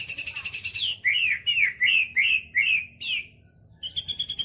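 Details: White-rumped shama singing a song filled with kapas tembak and lovebird phrases: a fast buzzy trill, then six quick down-slurred whistled notes about every half second, ending in another rapid trill.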